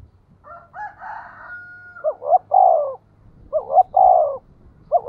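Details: Lure recording of a Spotted dove in the 'giọng thổ' voice, used to provoke wild birds. Steady whistled tones come first, then repeated phrases of two short rising notes and a longer falling coo, about every one and a half seconds.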